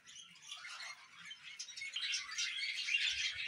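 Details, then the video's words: Budgerigar chatter builds steadily from quiet to louder, a busy stream of high scratchy chirps and warbled notes with no clear pauses. "Budgies Moments Collection ( Part 15 )"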